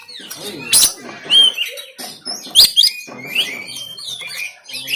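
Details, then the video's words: Oriental magpie-robin song from a caged bird in Banten, captured on an Android phone, meant to stir reluctant birds to sing: dense, fast chattering and whistled phrases punctuated by two sharp, explosive harsh notes. "KACER TEMBAKAN KASAR‼️Full Emosi Dongkrak Kacer Yang Malas Bunyi Dan Buka Ekor"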